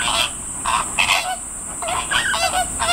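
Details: Loud calls of Greater flamingo chicks in Kyoto City Zoo, Japan, on 19 July 2024, differing from adult voices; clustered nasal honks and squeaky, wavering notes come in quick groups over constant high-pitched hiss.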